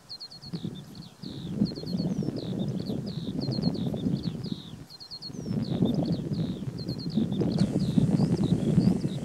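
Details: Eurasian skylark at Alto de las Nieves, Cantabria, sings a high, continuous stream of quick chirps and twitters, partly buried under heavy low wind rumble.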